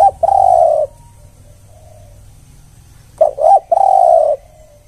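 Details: Spotted dove, one-kuk lure sound. A long mellow coo ends one phrase. After a gap a new phrase starts with quick stuttered notes, a short arched coo and a prolonged low coo.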